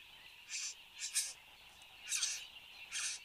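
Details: At a bower in Australia on the morning of 10 January 2015, a displaying satin bowerbird gives four rasping, buzzy bursts about a second apart, with a constant high-pitched background drone.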